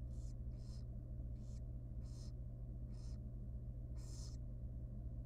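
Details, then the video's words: Tiny wild barn owl chick in a nest box begging at feeding time: six rasping, hissy screeches in quick irregular succession, the last one loudest, with a constant low hum underneath. "Yum Yum Yum Yum: Super tiny and young barn owl baby feeding time."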